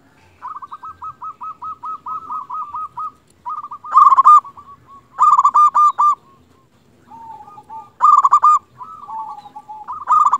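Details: Local zebra dove in full voice, used as a lure to set other zebra doves calling back: a quick series of short rolling coos, then loud bursts of trilled notes alternating with softer cooing phrases.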